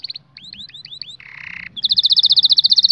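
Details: Canary song meant for training young canaries: a run of rising whistled slurs, a harsh buzzy burst, then a rapid rattling trill of repeated high notes, with faint low hum beneath.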